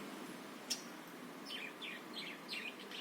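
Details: Budgerigar warbling, offered as a lure to provoke other birds into singing: a sharp click, then a run of squiggly, bouncing chirps in the second half over light hiss.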